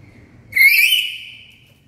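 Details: Black-capped lory giving a single very loud, harsh whistled call that sweeps upward and then holds steady for about a second, rich in overtones, with faint background murmur.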